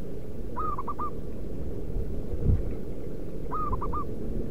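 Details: Local wild zebra dove calling, used to lure wild doves: two phrases of soft, clipped cooing notes about three seconds apart, with a low rumbling background and a brief thud between them.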